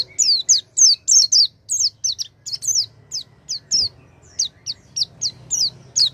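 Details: Oriental white-eye song played to get a non-singing white-eye to sing: a fast, steady run of about twenty bright, high, downslurred whistles, each short and clear, with a quiet low hum underneath.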